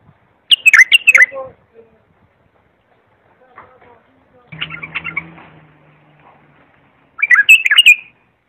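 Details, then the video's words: Model bulbul song for training young birds: bouncy whistled phrases open and close the stretch, with a scratchy chattering passage and a low hum in the middle. "تغريد صافي يفيد اذا عندك بلابل صغار او بلبل ميغرد"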